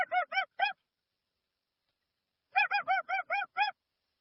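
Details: Dusky-legged guan giving loud nasal honks, a quick burst of four rhythmic notes, a pause of nearly two seconds, then a longer run of seven evenly spaced honks. The recording is clean, with no added effects.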